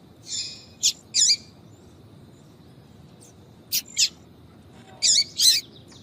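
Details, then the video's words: Female yellow-bellied seedeater attracting males with clusters of thin high chirps and short trilled notes, in three loose groups separated by pauses over a quiet hum. "Piado de fêmea de papa capim para Foguear"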